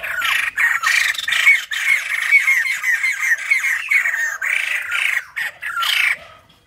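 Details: White-crested laughingthrush, caged captive birds, giving a loud, harsh cackling chatter in rapid bursts, with brief whistled notes woven through, pausing briefly between phrases.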